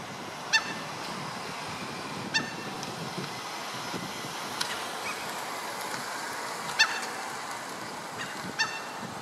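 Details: Common gulls of the nominate subspecies, a pair with a young bird wandering in a Stockholm street in July; short, harmonic mewing calls come about four times in nine seconds over a constant rumble of city traffic.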